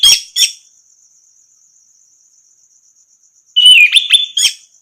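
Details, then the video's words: Orange-headed thrush song, recorded to train silent birds to sing: two sharp chipping notes, a long gap filled only by a thin insect trill, then a warbled run of whistles and high chips. "masteran burung anis merah macet bunyi langsung nyaut gacor"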